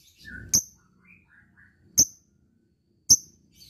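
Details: Fighter lovebird calling out to an opponent: three isolated sharp, very high chirps about one to one and a half seconds apart, with faint softer notes between.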